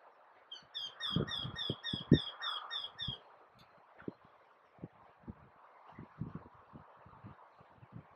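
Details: A Eurasian wryneck singing from the top of a tree gives a quick run of about nine nasal, ringing 'kyee' notes, roughly three a second, followed by low thumps of wind or handling noise.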